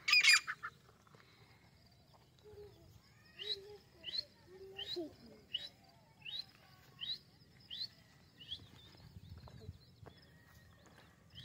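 Grey francolin giving a run of sharp, high, upslurred notes, about one every three-quarters of a second, over a low background hum.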